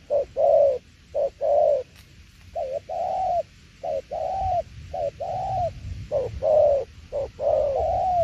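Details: Spotted dove giving its "tiểu liên nước" coo style: a busy run of low, hollow two-part phrases, a brief note then a drawn-out arched coo, coming quickly and somewhat irregularly, with one faint click early on.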